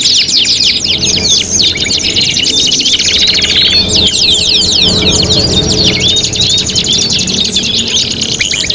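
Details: Canary song in an Indonesian competition tutoring recording, dense fast trills, rolls and chirps at high pitch repeated rapidly and continuously, overlapping phrases from several birds or layered tracks, steady background hum.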